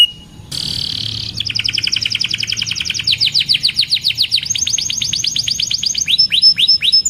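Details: Canary singing long varied phrases to train young canaries: a brief harsh buzzy note, then a rapid high trill, sweeping downward whistles, a fast rattling series and sharp chips, with a faint low hum beneath.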